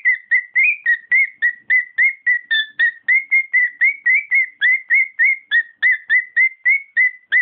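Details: Rapid, regular whistles from a pet cockatiel, about four notes per second, occasionally topped by a higher ringing tone, in a small quiet room.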